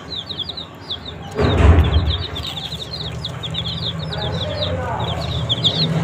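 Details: Young chicks feeding on green leaves peep continuously in quick, falling cheeps from several birds, with a brief broadband bump of noise early on and a low background drone.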